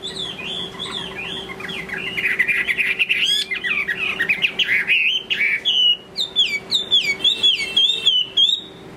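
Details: Chinese hwamei in the late afternoon pouring out a loud, continuous song of fast varied whistles, slurred up and down, becoming a string of separate bright rising notes toward the end; faint hum below.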